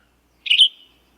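Western Tanager giving a single hoarse, burry phrase of about half a second, high-pitched and trailing off at the end; nothing else is heard.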